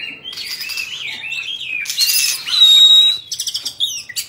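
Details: A 'Bạch Bạng' Oriental magpie-robin kept as a cage bird sings as it fans its tail. Its warbled phrases wander up and down, with a harsh burst, then a long, steady, piercing whistle and quick clipped notes at the end.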